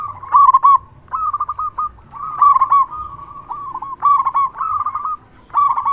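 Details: Local zebra dove in full, loud voice, used as a lure to make other zebra doves answer and to stir breeding mood. Rolling, trilled coo phrases repeat about every second with brief pauses, bright and steady in pitch, no other sounds.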